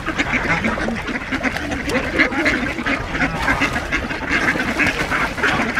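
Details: Feeding-time ducks on Diss Mere in December 2022, outnumbering two geese; loud nasal quacks overlap constantly, with some short higher squawks rising above the continuous din.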